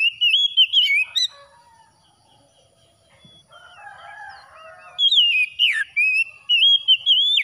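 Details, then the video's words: Singing after dawn, an oriental magpie-robin gives varied loud whistles broken into choppy phrases, a quieter spell of mixed chirping from other birds, then another lively whistled strophe with sharp slurred notes. "TERAPI KACER HABIS SUBUH"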